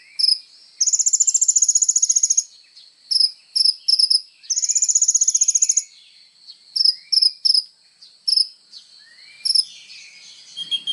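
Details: Sunbird actively singing as training material for songbirds: two long rapid high trills separated by clusters of sharp chirps, with faint thin sweeping notes in the background.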